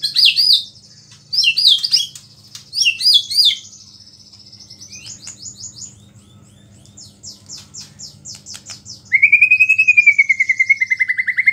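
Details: White-rumped shama song containing small-bird mimicry, meant to agitate other shamas: three loud twisting high phrases, softer rapid trilling, then a long fast pulsed trill at the end, with a faint low hum.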